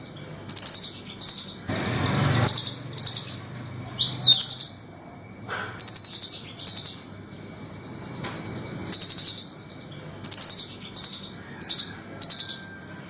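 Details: Harsh, sharp velvet-fronted nuthatch song from a master recording made for training songbirds: repeated piercing, high, rattling bursts, roughly sixteen over thirteen seconds, mostly in pairs or triplets, with a short rustling thud early on.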